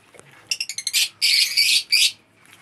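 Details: Lovebirds of several colour mutations kept together in a colony setup give a quick run of shrill, clipped chirps, then harsher drawn-out screechy squawks, all high-pitched, with a quiet background.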